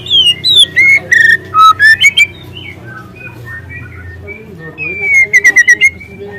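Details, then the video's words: Wild juvenile White-rumped shama with speckled plumage singing loud canary-like phrases: a series of clear, separate whistled notes at varied pitches, a quiet middle stretch, then a rapid burst of repeated notes. "Suara asli murai lepas trotol dengan tembakan kenari panjang dan keras"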